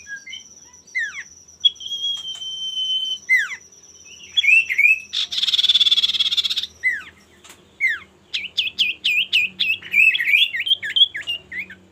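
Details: Male common iora singing to provoke rivals into song. A long even whistle, scattered downslurred notes, a harsh buzzy rattle lasting over a second, then a quick repeated series of hooked whistles.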